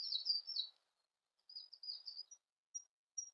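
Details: Siberian blue robin song: short high, sweeping chirpy phrases, a pause, more rapid chirps, then two thin, isolated whistles.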